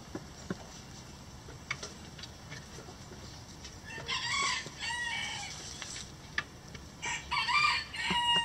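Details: Chickens in a coop. Faint pecking and scratching clicks for four seconds, then loud harmonic calls from about four to six seconds, and another burst near the end.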